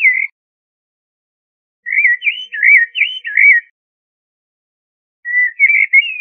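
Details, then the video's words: Common blackbird (Turdus merula) singing: a short fluted note, a pause, then a mellow warbling phrase of rising and falling whistles, and another soft whistled phrase after a gap. No other sounds. "تغريد طائر الشحرور جحمومية الزرياب Turdus merula"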